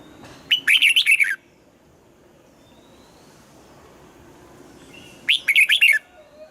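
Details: Red-whiskered bulbul singing in the morning, pushed to sing a double-note song like a mature wild bird; two short bursts of rapid warbled, whistled notes, about six syllables each, separated by a few seconds of quiet.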